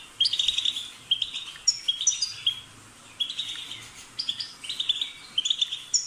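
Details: European goldfinch song: rapid twittering phrases of bright, tinkling notes mixed with buzzy trills, delivered in bursts with short pauses between them.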